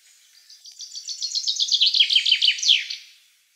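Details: Black Sea subspecies of common chaffinch giving one full song phrase. Soft opening notes build into a rapid run of repeated downward chips, falling in pitch toward the end and closing with a loud terminal flourish. Quiet background.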